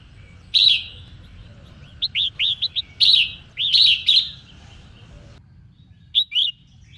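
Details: Red-whiskered bulbul, a female, singing to rouse males: clear whistled phrases of quick, bright, hooked notes, with harsher emphatic bursts between them and a brief pause before two final notes; faint low hum behind.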